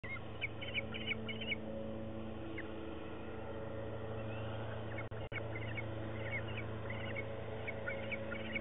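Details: Bald eaglets on a nest cam, 27 May 2016, practising new sounds: thin, high chittering chirps in short bursts every second or two, over a steady low hum, possibly lawn mower noise.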